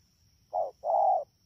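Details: Spotted dove, a wild-caught bird at Đak Tô, Vietnam, in the rainy season, 3 October 2019: one short low coo, then a longer level hoarse note, in near silence.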